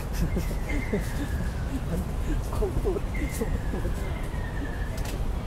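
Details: Ruddy kingfisher recorded at Rot Fai Park, 20 April 2016, giving two long descending whistles, one near the start and one after a pause. Soft ticking and chirping notes, talking voices and a heavy low city rumble fill the background.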